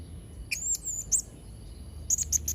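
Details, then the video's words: Blue-crowned hanging parrot singing actively: a few sharp, very high squeaks and short rising chirps, then a quick cluster of four shrill notes near the end, over a low hum. "Variasi & Isian Suara Serindit Trotol Gacor"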